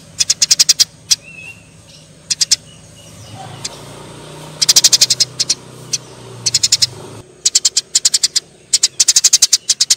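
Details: Eurasian tree sparrows fighting: bursts of rapid, sharp, high chirps in quick runs of five to eight, separated by short pauses, over a faint low rumble in the middle section.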